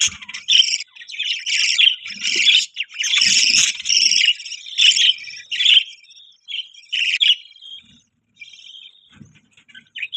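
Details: Budgies warble in scratchy bursts for the first six seconds, then trail off into sparse, thin chirps and quiet pauses.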